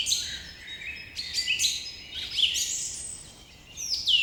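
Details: Several birds chirp in the morning, with quick downward-slurred whistles and bright twitters crowding together in lively overlapping phrases.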